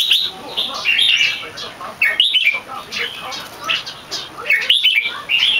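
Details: Caged competition Red-whiskered bulbul with a big head physique, not yet in full form, giving its loud, clear, long Keke. Bright, rich warbled phrases come in quick bursts, some rising and falling, with brief gaps and faint background chatter.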